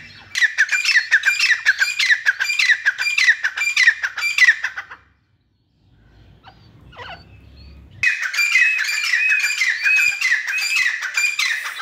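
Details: Teetar, or grey francolin, in two bursts of loud, rhythmic, grating call notes repeated rapidly, separated by a quiet gap of about three seconds with a faint low rumble.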